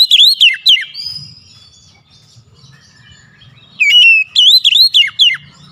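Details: Oriental magpie-robin song, a lure to make a quiet bird sing, opening with swooping whistled notes, a soft lull with faint low murmuring, then a lively string of rising and falling whistles.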